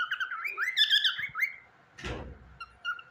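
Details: Pet cockatiel's sweet song: a loud, rolling series of warbled whistles that swoop up and down, followed by one brief noisy thump and a few soft chirps.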